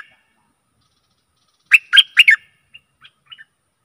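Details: A stripe-throated bulbul sings a single four-note bubbling, warbled phrase followed by a few soft scattered chips, played as decoy song to lure aggressive wild birds.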